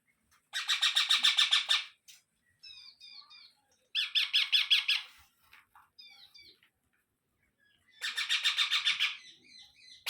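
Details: Indian ringneck parrot chicks being fed repeat rapid-fire bursts of raspy, pulsed squawks about every four seconds. Soft high chirps are heard between the three bursts.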